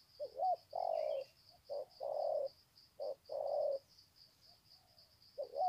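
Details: Spotted doves calling to greet each other from the ground at Sê San on 21 February 2020. Repeated deep, hollow coo pairs, short note then longer one, follow closely. A steady high insect buzz continues throughout.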